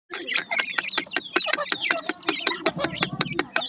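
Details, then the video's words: Grey francolin (teetar) chicks: a busy run of high, thin peeps that slide downward, many overlapping callers, with sharp clicking taps scattered throughout. "Teetar chicks awaaz, Grey Francolin chicks voices"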